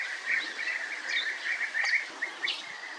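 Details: Continuous short purring calls of European bee-eaters, many overlapping notes at an even pitch with occasional sharper higher chirps.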